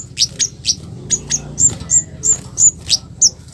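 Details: Sharp 'cit keres' calls of a scarlet-headed flowerpecker used as a provoking lure; thin, very high ticks at roughly three per second, slightly uneven, over faint low background noise.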